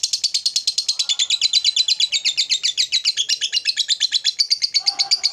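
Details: Lovebird calling to provoke a rival, an agitated display leading into long ngekek chatter: a fast, steady run of sharp, high, harsh notes at about three per second, lasting the whole stretch, with a lower buzzy note near the end.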